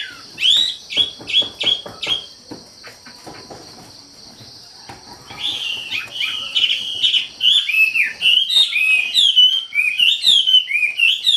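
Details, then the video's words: Lively wambi song opening with a few sharp repeated chirps, then a quiet stretch, then a long, run-on sequence of looping whistled notes that grows louder, over a constant high hiss. "SUARA KICAU WAMBI GACOR"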